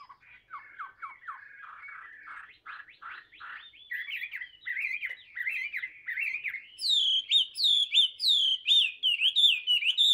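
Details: Hand-tamed hwamei in full song: starts with quick low stuttering notes, builds into rising chattery phrases, then shifts to loud high ringing whistles repeated rhythmically.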